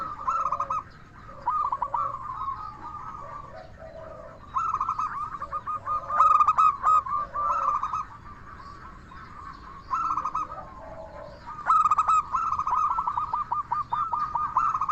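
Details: Extended lure song from local zebra doves in 'crystal voice' style, used to provoke answers and excitement in other zebra doves: repeated bursts of rapid staccato cooing with dropping tails, separated by short quieter gaps, with overlapping voices.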